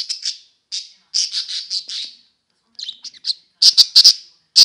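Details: Budgerigars playing together chatter in quick bright chirps, bunched into bursts of two to five notes separated by short pauses, ending in sharp loud clipped calls.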